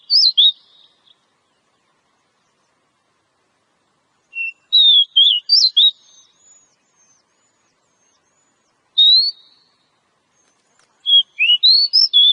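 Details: Wild Oriental magpie-robin (kacer) singing in the ngobra style, likened to a cobra: short bursts of sweet, high, sliding whistled notes separated by pauses of several seconds, against an otherwise silent background.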